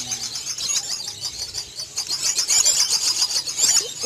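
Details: Lovebirds at a breeding farm, many calling at once: a dense, continuous chorus of shrill, high chirps and squeaks, with scattered louder notes standing out above the din.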